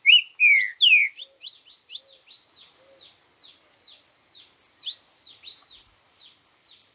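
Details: Green-winged saltator in 'boi' song style: two loud downward-slurred whistles open the clip, followed by a long run of short, sharp high chips and twitters at a quick, irregular pace, with a faint low ticking early on.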